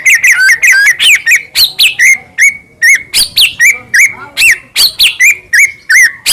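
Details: White-rumped shama morning song in the full 'kretek' style, used to coax a pet shama into singing: loud, clear, rapid phrases of whistled and rising notes with sharp chips, bursts coming about three per second with brief gaps.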